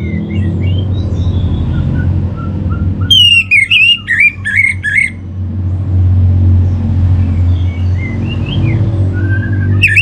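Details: Orange-headed thrush singing, recorded to lure others into song: a brief, loud burst of varied whistles and rapid slurred notes, with faint chirps before and after and a constant low engine-like rumble throughout.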